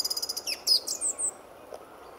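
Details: Lively male song thrush in full song at RSPB Fowlmere at dawn in February 2014; a fast run of thin, very high repeated notes gives way to a few sharp squeaky whistles, then near silence.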